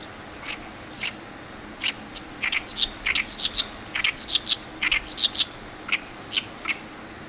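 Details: Oriental reed warbler in a reedbed at a lotus field in Iwakuni, Japan, 10 May 2018, about a month after arrival, loudly singing a harsh, chattering territorial phrase of grating notes; a Ruddy-breasted crake calls in the second half.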